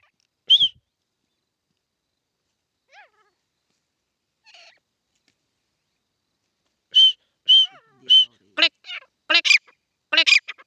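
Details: Grey francolin (desi titar) playing and fighting: a few high, clear whistled notes spaced apart, then a quick burst of louder, harsher, harmonic calls repeated in close succession near the end.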